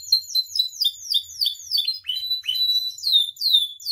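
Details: Captive canary used as a training and provoking bird, singing a fast series of descending whistled notes repeated in quick succession, then sweeping slurred phrases, all high-pitched and clear.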